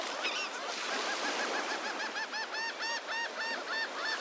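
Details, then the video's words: A large crowd of gulls on the beach at Delnor-Wiggins Pass State Park, Naples, Florida, in the morning, calling over one another with harsh, nasal laughing notes repeated rapidly in a noisy overlapping chorus. "Lots of Seagulls"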